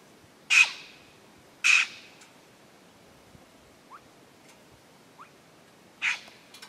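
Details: Two black-throated magpie-jays (Calocitta colliei) seen in silhouette: three loud, harsh, rasping calls, two close together and one after a pause, with faint soft rising notes between them.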